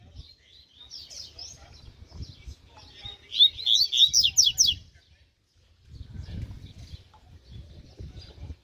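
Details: Spirited mutant double-collared seedeater in training, giving a soft twittering opening, then a loud run of sharp, quickly repeated downslurred notes, a short pause and a quieter trailing warble over a low hum.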